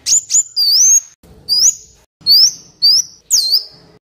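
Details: Black Sunbird song used to train caged birds and lure wild birds; rapid series of bright, high rising whistles and swooping slurred notes, about two per second.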